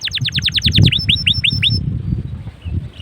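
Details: Canary song meant to lure other canaries into singing: a brief run of rapid descending chirps slowing to a few spaced notes, over steady low rumbling noise.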